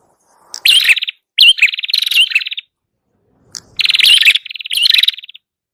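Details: A prenjak kepala merah prinia singing vigorously for luring birds: two pairs of harsh buzzy trills with quick upward-twisting notes, each phrase under a second, the pairs separated by a pause of about a second.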